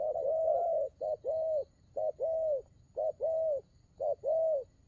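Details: Spotted dove cooing, each phrase a short low note followed by a longer rounded coo, repeated about once a second in a steady rhythm, quiet background.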